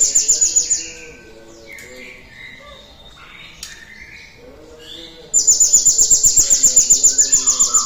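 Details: Lure song of a cinereous tit for encouraging other birds to sing: a short high trill, then a pause filled with softer lower whistles and chatter, then a loud burst of rapid repeated shrill notes.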